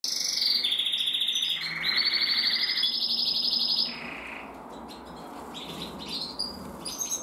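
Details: Canary singing: rapid, bright trilled phrases on steady pitches that step between levels, each roll of quick repeated notes lasting about a second, then softer, scattered twittering toward the end.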